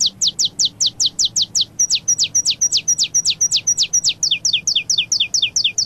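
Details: Saffron finch singing in the canto paulista style: fast series of high, sharp downslurred notes, about five per second, with brief shifts in note shape partway through. Faint low hum underneath.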